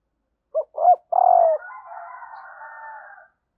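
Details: Female spotted dove calling to excite males: two quick coos and a longer note, trailed by a faint, wavering, breathy hum lasting nearly two seconds.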